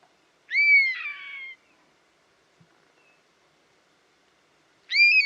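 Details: Buzzard, a wild bird of prey, giving a long, falling, mewing cry with a hoarse ending. A pause of over three seconds follows, then a second cry begins and is cut off. No other sounds.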